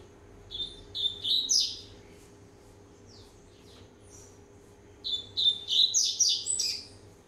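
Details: A 1.5-year-old Double-collared Seedeater, warming up, sings two bursts of bright, high, rapid chirps and slurred whistles, each about one to two seconds long, over a faint low hum.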